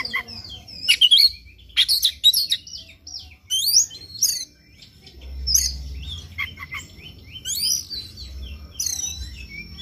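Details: Oriental magpie-robin in morning song, a lure track to push another bird to sing its full repertoire; quick chattering and sharp whistled phrases in clusters, easing into softer scattered notes over a faint low hum.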